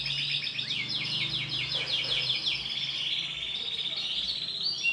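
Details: Female canary with bright green plumage producing a rapid series of descending chirps that blend into a continuous high twitter, accompanied by a low hum in the background.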